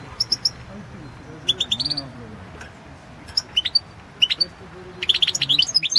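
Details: Caged European goldfinch recorded for the 2016 world championship in goldfinch song; short bursts of high, bright chirps and twittering notes in clusters with pauses between, over a low background hum.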